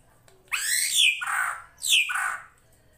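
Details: Two harsh, screechy drongo calls, each sweeping downward and ending in a buzzy lower tail; srigunting krantil master for training songbirds, set over flowing water.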